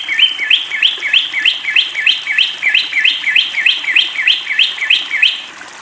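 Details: Long-tailed shrike, a caged bird given water therapy (bathing), singing loudly: a fast, regular string of chirpy up-and-down whistled notes, about three per second, clean with no other sounds.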